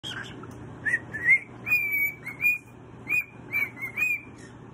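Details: A pet cockatoo called Mr. Squawkers whistles a run of clear, rising notes in a bright, chirpy tune, then is praised with "Good job".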